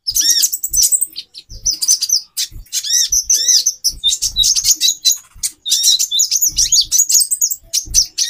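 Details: Female brown-throated sunbird used to raise a male's breeding drive, giving dense high twitters with quick down-slurred and arched notes in a near-continuous stream, with soft low knocks beneath.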